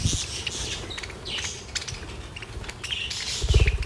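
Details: Captive budgerigars, held close to the camera while singing tunes to each other, warble in soft, scratchy chirps and twitters, half-buried under low rumbling handling noise.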